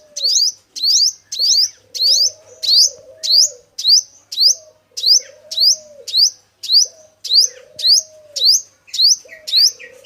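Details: Male sunbird, locally called five-colored sunbird, recorded in 2022 for use as a trapping lure: sharp, high twittering notes that rise then drop, repeated in even bursts about twice a second over a steady lower whistled tone.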